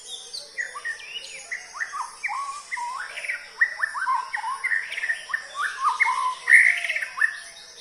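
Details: White-rumped shama song: a rapid, varied run of whistled and chirping notes, many sliding up or down, delivered in close succession and growing louder toward the end, over a faint steady background hiss.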